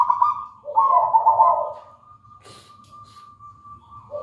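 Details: Melodious coo of a local wild-type zebra dove: a rolling cooing phrase, then a thin steady tone that lingers faintly, broken by a brief rustle or click, before the next phrase starts at the end.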